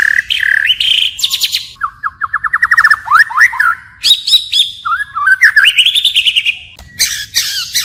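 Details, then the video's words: Wild-style song of a white-rumped shama that keeps changing its phrases: a rapid run of repeated clicking notes, then rising whistled slurs and bright high sweeps, with some harsher buzzy notes. "Chích chòe lửa hót giọng rừng hay đảo giọng liên tục, บินหลาดง murai batu shama bird"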